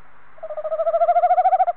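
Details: Calling close to the nest box on 21 February 2015, a male tawny owl gives a vibrating, pulsed hoot lasting about 1.3 seconds, growing louder through fast regular pulses, then stopping sharply.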